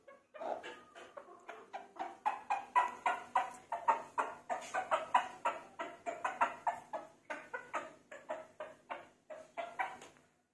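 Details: Rooster clucking: a rapid series of short, clipped, mid-pitched clucks, roughly three per second, in uneven bursts that rise and fall in loudness over about ten seconds, with no other clear sounds.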